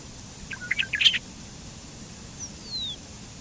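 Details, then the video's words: Bobolink, Dolichonyx oryzivorus, gives one brief burst of jumbled, tinkling metallic notes, followed by a thin, faint whistle sliding downward, over a quiet steady background hiss. "Canto del Charlatán"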